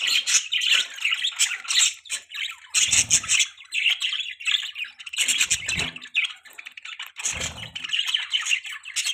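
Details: Budgies chattering almost nonstop in a dense, scratchy warble of high chirps and squeaky notes, broken by a few harsher squawky bursts at roughly two-second intervals.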